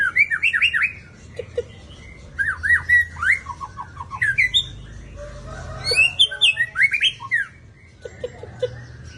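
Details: Caged white-rumped shama: bursts of rich, varied whistled phrases, some sweeping up and down, others sharp and chattering, separated by short pauses.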